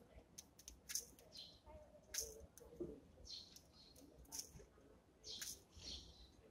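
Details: Eurasian tree sparrows feeding in the morning: brisk, high, sharp chirps in irregular bursts, with several birds overlapping and some soft lower scuffling sounds.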